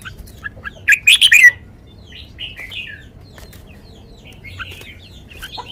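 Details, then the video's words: A sweet lak wai style song from a red-whiskered bulbul. A sharp phrase of four or five bright, rising and falling whistled notes is packed into half a second, followed by softer twittering from other birds. "นกกรงหัวจุก 626 จ้าวมาดี ลากหวาย หวานๆ"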